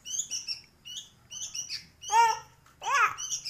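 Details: One-month-old young sooty-headed bulbul (kutilang) kept as a pet, giving quick high chirps in short bursts, then two loud, arched, harmonic calls that rise and fall, with brief pauses between groups.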